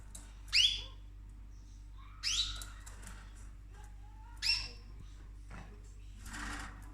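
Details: Indoor pet cockatoo, female, chewing on orchid flowers; three loud, harsh calls with upward-sweeping ringing tones, about two seconds apart, then a softer, breathy rustling burst near the end.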